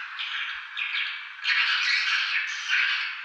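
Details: Swiftlets at Tambunan calling in harsh, buzzy twitters that swell into a louder, denser burst partway through.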